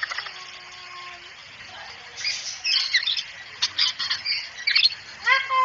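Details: Cockatoo heard in a talking-training recording: a low drawn-out tone, then a run of rough, scratchy squawks that ends in a harmonic rising cry.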